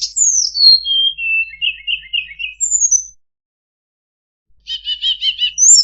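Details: Master song of a tledekan for teaching other birds: a cascade of falling whistles and short clipped notes, a silent gap, then a quick stuttering series of buzzy chirps and a rising high whistle.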